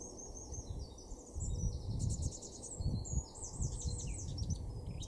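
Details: Eurasian blackcap male in a Weener garden, East Frisia, Germany, April 2024, delivering a run of bright, high warbling notes that continues through the stretch, with loud low-pitched rumbling noise underneath.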